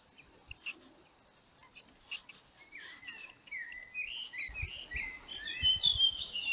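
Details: Slavonian grebe calling while building a nest; a series of short whistled, sweeping notes between low and mid-high pitch, growing louder and denser toward the end, with a few faint chirps earlier and light background noise.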